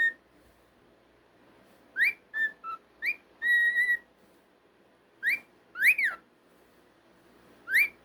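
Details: Pet cockatiel indoors whistling a melody of rising upswept notes, short lower tones and a held steady whistle, followed by rising and falling swoops with gaps between, over faint room hum.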